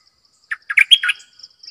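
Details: A bulbul used as a decoy bird gives a quick, bubbly phrase of five or six throaty, warbled notes, the loudest a bright upward slide, with a faint high insect buzz behind.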